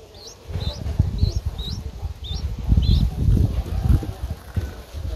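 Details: Streak-eared Bulbul chick aged nine days, recorded 11 April 2023 in Ubon Ratchathani, Thailand. Six high, upward-flicking chirps fill the first three seconds, then only low rumble remains.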